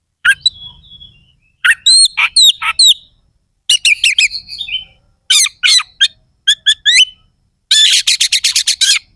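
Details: Oriental magpie-robin in energetic contest song with harsh 'isian kasar' fills, said to provoke rival birds: long whistle, clusters of sharp chirps and slurs, then a fast, harsh, evenly spaced rattle.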